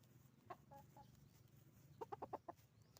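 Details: Chicken farm with roosters and hens calling: a few isolated clucks, then a quick run of five sharp, harmonic clucks near the end, against low background hum.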